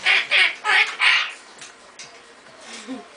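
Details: Male pet Goffin's cockatoo quacking like a duck: four hoarse, nasal honks in quick succession about three per second, then quieter faint sounds in the room.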